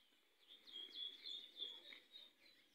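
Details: Variable sunbird: a thin, high twitter of rapid chirps and short downslurred notes, swelling and fading in quick bursts over a soft, steady background hiss.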